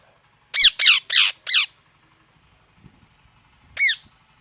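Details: Loud parrot: four harsh screeches in quick succession, then a pause and one more screech, each a broad raspy descending note, in otherwise quiet surroundings.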